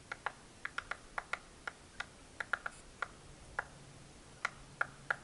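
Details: American three-toed woodpecker in Kaibab National Forest near the Grand Canyon's South Rim gives short, sharp pik notes or taps at an irregular pace, about twenty in five seconds, against a quiet background.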